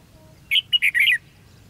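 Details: Red-whiskered bulbul in fight-singing at a trap, recorded 13 February 2016: a brisk phrase of four sharp chirped and warbled notes, the last drawn out and dropping, over quiet low hum.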